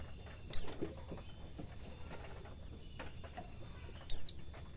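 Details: Pleci, the white-eye, sung as training material for caged birds in the ngalas cingjuitan style: two sharp, high falling notes separated by a long pause of three and a half seconds, with a soft background hum.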